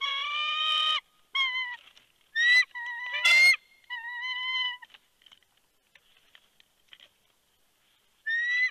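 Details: At a Big Bear nest, a bald eagle with a good-sized fish on 3 February 2020, late afternoon; several drawn-out whining calls, some dropping at the end, mixed with rough bursts, then a lull of faint clicks and a final whine.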